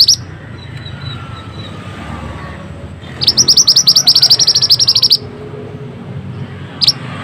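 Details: Mantenan bird song for masteran training: a two-second burst of rapid, sharp, high chirps. It follows a quiet stretch with a single brief note at the start and another near the end, over a low background hum.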